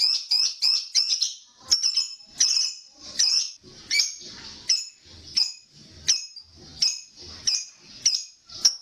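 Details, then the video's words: Lovebird producing the chattering ngekek sound, used to prompt other lovebirds to sing: rapid bursts of harsh, high, buzzy chirps repeated about once per second, each burst trailing off, with no other clear sounds. "Suara Pancingan Untuk Melatih Lovebird Rajin Ngekek"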